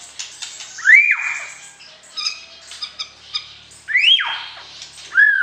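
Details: White-rumped shama voicing during pairing, meant to stir the opposite sex before breeding; loud swooping whistles rising then falling, separated by softer short notes and a brief pause.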